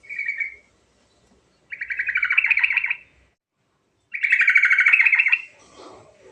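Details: Sooty-headed bulbul in ngerol song, played as a lure for bulbuls that have stopped singing: a short opening note, then two long pulsed rolls, each over a second, separated by silence.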